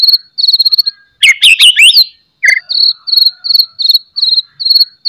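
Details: White-rumped shama in loud, sharp song meant to provoke other shamas into singing: rapid bursts of high repeated chattering notes, a tangle of sweeping whistles, then a steady string of short bright notes.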